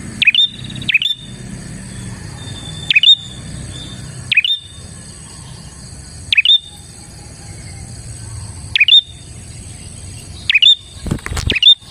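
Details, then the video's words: Prinia singing in a lively, energetic manner, used as a lure to attract other prinias for bird trapping; sharp, high, clipped notes in short bursts of two or three, repeated every one to two seconds between quiet pauses, over a faint low hum. "suara burung prenjak gacor ini 💯% ampuh untuk pikat prenjak dan pancingan prenjak bahan"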